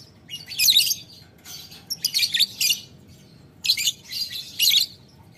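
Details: Lovebird calling a rival with ngetik ngekek chatter: harsh, rasping bursts in four grouped clusters about a second apart, each a rapid string of scratchy notes, with quiet low hum between.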